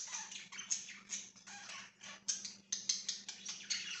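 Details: Pet budgerigars recorded 24 September 2024 keep up busy, dense chirping: quick scratchy bursts roughly twice a second, some thin whistled notes mixed in, over a background hiss and low hum.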